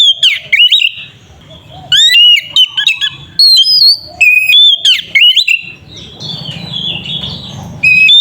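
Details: Oriental magpie-robin singing to provoke a rival into song: dense bursts of whistled slurs and steep sweeping notes, then a softer murmuring patch before a final loud note.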